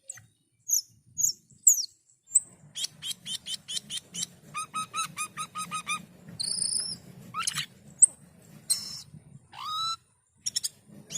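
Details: Asian pied starling in full song, a varied mix of high whistles, rapid buzzy pulse trains repeated several times a second, rising sweeps and harsh chattering notes, with a low background hum throughout.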